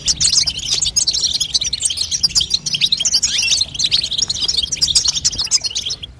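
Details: Babtaba chatter from a female European goldfinch, intended to make a young bird sing: quick, high, tinkling twitters run densely without pause and fade slightly at the end.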